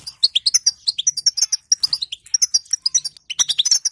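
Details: Female European goldfinch giving a batbata call, used to prompt silent goldfinches into song; fast, bright twittering of short chirps and slurred notes, densely packed with brief pauses, the last half second busiest.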